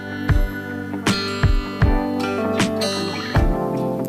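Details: Plucked acoustic guitar music with strummed chords struck roughly every half second over sustained ringing notes.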